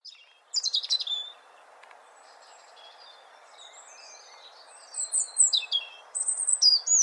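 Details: European robin singing: a burst of high, rapid twittering notes opens the phrase. After a pause with quieter thin whistles, a second run of bright, sliding and trilled notes rises and falls very high over a soft, steady background hiss.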